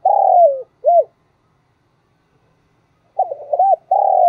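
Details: Decoy spotted dove calling to get newly caught doves cooing: a drawn-out falling coo and an arched note, silence, then a new phrase of quick hooked notes running into another long coo.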